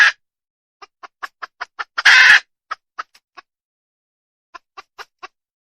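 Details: Series of crisp, evenly spaced clucks from a wild female junglefowl, broken by one loud rough squawk in the middle, then sparser clucks afterwards.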